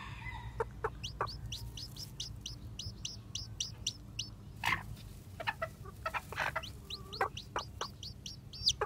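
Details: Freshly hatched bantam chicks, white with black tails, wandering about; rapid shrill descending cheeps run throughout, mixed with clicking knocks and brief rustles.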